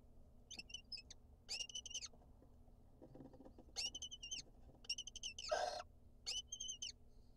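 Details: A courting pair of lesser kestrels, male and female, inside their nest box in Israel, gives five bursts of rapid, high, grating chatter, roughly one every second and a half, with soft rustles and bumps between.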